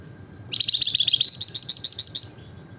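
Javan fulvetta giving a rapid, high, twittering song of quick repeated notes, lasting under two seconds, over faint low background hum.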